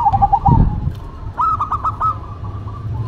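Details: Local and cemani zebra doves in duet: soft rippling coos, then a clear burst of five or six rapid, ringing notes fading into a held tone, over low rumbling noise.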